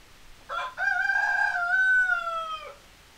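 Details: A chicken, called over with its favourite feed, gives a brief opening note, then one long, loud, strained crow that holds steady and sags slightly at the end, about two seconds long.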